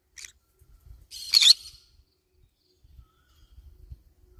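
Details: Green-cheeked conure eating banana leaves: a faint short chirp, then one drawn-out, grating, buzzy squawk, followed by low soft knocks and rustling.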